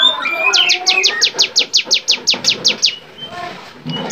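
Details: Bar-winged prinia singing in lively varied style for songbird training: a few soft lower chirps lead into about a dozen sharp high descending notes at a steady pace, fading into quieter chirps.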